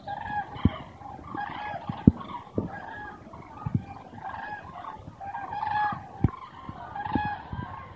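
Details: Hundreds of common cranes migrating south over Meerssen, the Netherlands, on an autumn afternoon, 9 November 2014 at 2:04 pm; overlapping rolling, trumpeting calls from many birds at once, with sharp knocks and a low rumble underneath.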